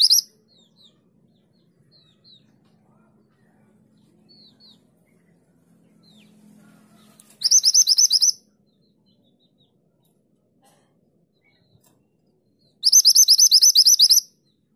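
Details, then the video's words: Mantenan gunung in full 'tulit tulit' song for training other songbirds: short explosive bursts of very fast, high, rattling repeated notes, each about a second long and separated by several seconds of quiet with faint scattered chips. "Mantenan gunung gacor nembak tulit tulit"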